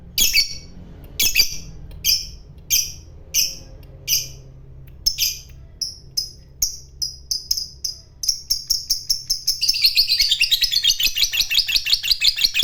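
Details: Fighter lovebird working up to its long ngekek: separate scratchy chirps about every half second accelerate steadily until they run into a fast, rattling trill for the last three seconds.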